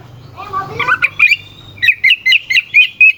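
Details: Brief oriental magpie-robin phrase, played as a lure to provoke rivals. Slurred, rising notes lead into a string of evenly spaced, sharp whistled chips.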